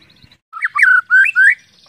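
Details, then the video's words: White-rumped shama (murai batu) used to trigger other shamas to sing: a short phrase of loud, clear whistled notes, sliding up and down, in a quiet setting. "pancingan murai batu agar cepat gacor ngeplong"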